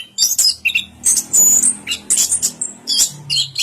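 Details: Orange-headed thrush singing a varied song of quick, high chirps and short whistled phrases in dense bursts with brief gaps, some notes sliding and trilled, without other clear sounds.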